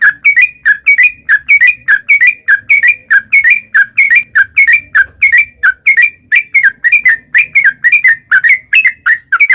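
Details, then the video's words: Yellow-vented bulbul singing a long 'ropel' song meant to make other birds answer: a steady stream of short bubbly notes, about one and a half each second, continuing without a break. "trucukan gacor ROPEL PANJANG buat pancingan trucukan agar bunyi jadikan burung trucuk gacor NYAUT"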